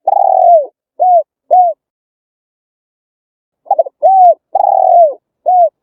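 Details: Vietnamese spotted dove cooing as bait for wild birds: a long falling coo and two short clipped coos, a pause, then a broken trill-like note, short coo, long falling coo and a final brief coo.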